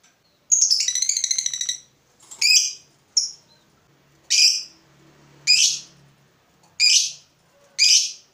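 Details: Provoked fighter lovebird sounding a brief high rattling ngekek burst, then a string of separate sharp, squeaky chirps spaced about a second apart.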